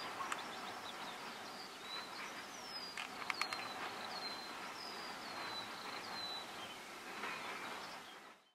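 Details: Greater short-toed lark, subspecies brachydactyla, in the Crau, France, in May 2018: faint series of short, thin, high notes that slide downward, repeated in quick succession over steady background hiss and a few sharp clicks.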